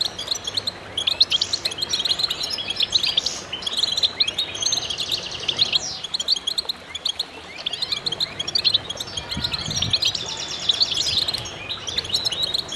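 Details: Extended concert of goldfinch voices, meant to stimulate birds: continuous high twittering, trills and chirps layered from many singers, with short lulls and a soft low thud near the end.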